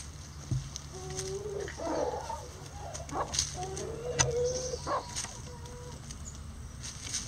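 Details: Rooster among a backyard flock of Lavender Old English game bantams, Mille Fleur Duccle and Silver Duckwing chickens trying a hanging cabbage; a series of short, mid-pitched harmonic calls with one longer drawn-out rising note, over steady low hum.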